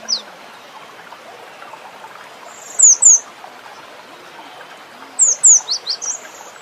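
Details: Cinereous tit, locally gelatik batu, singing: two separated bursts of high, sharp down-slurred whistled notes in pairs, over a steady background hiss.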